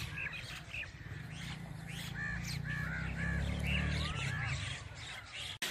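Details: Mynas in a group flying at sunset give scattered arched, whistled and squeaky notes in quick succession, several birds calling over one another, above a constant low-pitched rumble.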